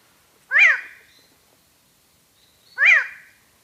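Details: Hooded tinamou (Nothocercus nigrocapillus) song: two nasal, rising-then-falling 'wow' notes a little over two seconds apart, against a quiet background; its song is a nasal note repeated every few seconds.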